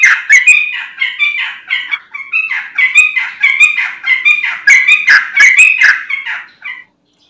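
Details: Lure song of a sooty-headed bulbul in full voice: a long, unbroken stream of fluty, chattering notes in quick pulses with scattered sharp clicks, ending abruptly after almost seven seconds.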